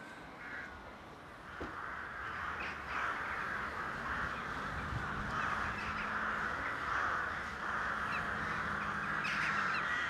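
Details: A rookery in full courtship activity, dense overlapping caws from many rooks forming a continuous croaking chorus that grows louder through the recording.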